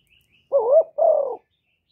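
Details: Kept spotted dove cooing to draw in wild doves, recorded cleanly. One mellow two-note phrase: a bending, upward-sliding coo followed at once by a longer, steady, gently falling coo.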